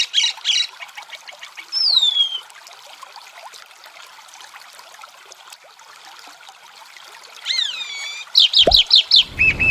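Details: Chalk-browed mockingbird song over a water backdrop: opening burst of harsh doubled notes, a single long falling whistle, a pause, then a rapid cluster of looping whistles and repeated chips, with a brief knock of handling noise.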